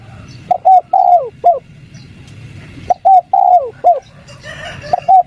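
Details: Spotted dove, 'kuk 3' call used as a lure to prompt wild doves to answer: two rounded, hollow four-note coo phrases roughly two and a half seconds apart, a third beginning at the end, over low rumbling background.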